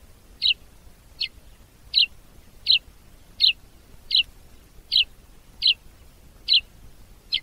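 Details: Sparrow from Africa repeating one short, sharp chirp at a steady pace of a little over one per second, ten times, over a low background hiss.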